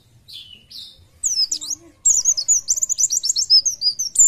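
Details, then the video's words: Oriental white-eye, a Buckpar-type bird described as fit, singing loudly: after a few soft notes, a fast run of high twittering, warbled phrases with quick trills, nearly continuous from start to end. "PLECI JOSS ..BUKPAR KEREN..FIT NGICAU LOSS"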